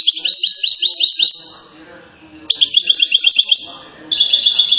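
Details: European goldfinch in Settat, Morocco, famed as a king of song: rapid bright trills in two bursts split by a soft gap, ending with a sustained ringing high note.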